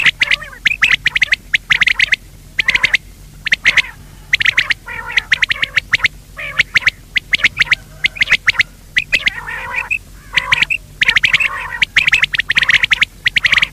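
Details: Wild quail call used for net hunting: dense bursts of short, sharp, scratchy chirps, several a second with brief pauses, sounding like many birds calling together.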